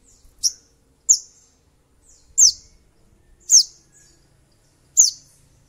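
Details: Sogon (little spiderhunter) used as a lure to provoke rivals and make another bird sing. Sharp, high, downslurred chips are spaced irregularly, roughly one a second, over quiet surroundings.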